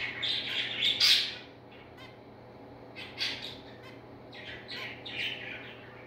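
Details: Zebra finch parent with chicks: several harsh, nasal squawking calls in clustered bursts, loudest near the start, with a steady low hum underneath.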